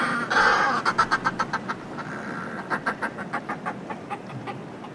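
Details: Northern fulmars calling from groups displaying on cliff ledges, heard close: a loud grating burst, then a fast, even series of clipped cackling notes that fades slowly, with sea wash behind.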